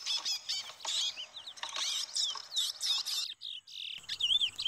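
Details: Chestnut-bellied seed finch duel between males, one giving up quickly: high chattering notes mixed with clear, slurred whistles that rise and fall, a brief silence, then looping whistled phrases.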